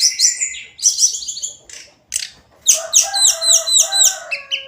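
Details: Hill blue flycatcher (tledekan gunung) singing its daily song: bright high warbles and buzzy notes, a short pause, then a fast, rhythmic run of repeated high twittering phrases.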